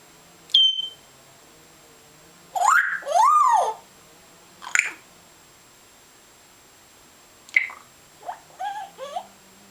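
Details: A male African grey parrot known for copying water sounds, noises, curses and speech. It gives a sharp whistle, then wavering, nasal, voice-like squawks and short harmonic yelps, each separated by pauses.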